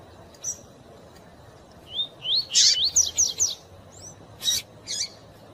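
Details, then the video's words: Captive male double-collared seedeater (Sporophila caerulescens) gives a quick burst of high, slurred whistles and buzzy notes, with thin female chip calls before and after over a faint hiss, meant to stimulate a male to sing. "Coleiro tui tui rápido e piado de fêmea pra esquentar seu coleiro"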